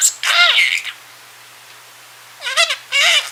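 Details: Male pet budgerigar mumbling while dozing indoors: a harsh, nasal warbled burst, a pause, then two short buzzy chirps.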